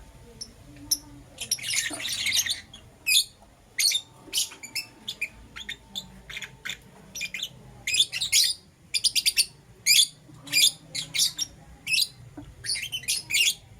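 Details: Lovebirds, green opaline and lutino varieties, chirping in the morning: a longer shrill buzzy call early, then many sharp high chirps in irregular rapid clusters throughout.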